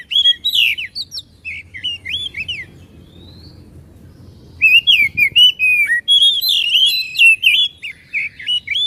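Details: White-rumped shama song to provoke a caged bird into singing and tail-spreading: choppy whistles and chips, a quieter lull over low noise, then a long, fast, loud sequence of varied slurred whistles.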